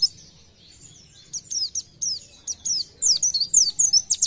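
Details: Oriental white-eye (pleci) song beginning quietly, then building into quick, high, sharp chirps and slurred notes repeated rapidly.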